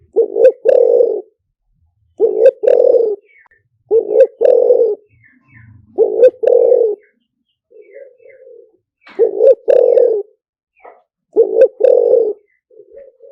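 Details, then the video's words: Spotted dove liu tan decoy song for luring doves in quickly: six repeated phrases roughly every two seconds, each a short two-part coo leading into a long hoarse coo, with faint soft coos between. "เสียงต่อนกเขาใหญ่หมานๆ, เสียงนกเขาใหญ่ ต่อเข้าเร็ว เสียงหลิ่วตัน"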